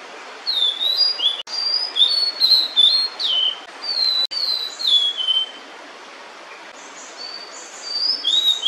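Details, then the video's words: Female blue-and-white flycatcher, beak full of food meant for her nestlings, delivers a long stream of quick, sliding whistled notes. After a quiet gap, a short final phrase follows. "餌を咥えたまま鳴くオオルリ (雌) / Blue-and-White Flycatcher(female) singing while holding food"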